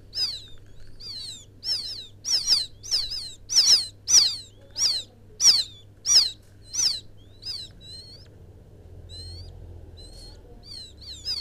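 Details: Field quail chick calling its mother: high, thin, down-slurred whistled peeps, about one and a half per second. They swell louder in the middle of the run, then fade to softer, sparser notes. Low background hum.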